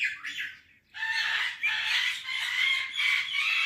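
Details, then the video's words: A pet Indian parrot (mitthu) gives a short harsh squawk, then after a brief pause a near-continuous run of loud, raspy, screechy calls. No clear words are picked out. "Indian Parrot Talking Video | Mitthu Tota Ki Awaz"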